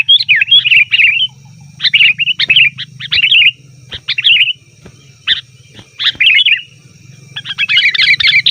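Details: Sooty-headed bulbul making busy calls used to lure wild birds: irregular bursts of quick, gurgling chirps with sharp clicks between them, ending in a dense tangle of notes, over a constant low hum.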